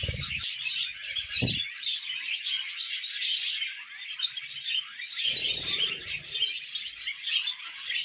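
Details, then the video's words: Pet budgies chatter and warble continuously while eating vegetables, the high scratchy twittering broken by a few low knocks and rustling sounds. "Happy Budgies Singing and Eating Veg"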